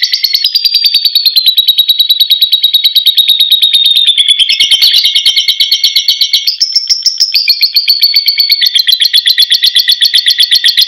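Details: Lovebird delivering a long ngekek trill: a continuous, piercing, rapidly pulsed chatter that steps up and down in pitch several times without pause across the whole stretch, loud and clean.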